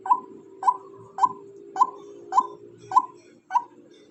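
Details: Female white-breasted waterhen calling: a loud, harsh note repeated seven times at about 0.6 second intervals, steady and rhythmic, over a constant low hum.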